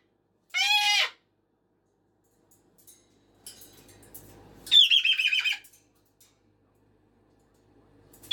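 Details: Pet cockatoo at dawn or early evening: one harsh arched scream, then soft rustling and shuffling, followed by a rapid stuttering series of buzzy squawks and the start of another scream.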